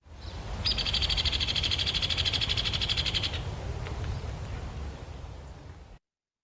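Hairy Woodpecker: a fast, sharp rattle of high notes lasting under three seconds, holding level in pitch without dropping at the end, over a low rumble.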